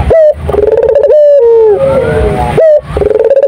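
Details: Turtle dove in full song at close range: a sharp upward note followed by a long, wavering, slightly falling coo, then the same pattern starts again, loud and continuous.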